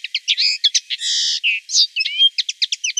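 A common linnet singing a quick, varied twitter of high chirps, short trills and a buzzy rattling phrase. No other sounds stand out.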